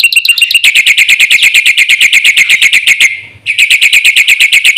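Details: Black-winged myna on a lure and training recording for caged birds, giving a dense, fast, machine-gun rattle of high ringing notes. The rattle pauses for a moment before resuming at the same quick pace.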